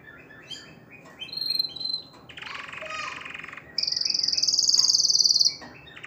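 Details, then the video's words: Canary singing to excite females into mating: soft notes and a short whistle, then a buzzy mid-pitched rattle, ending in a long, very high, rapidly pulsed trill held for nearly two seconds. "تغريد الكناري لتحفيز الاناث على التزاوج"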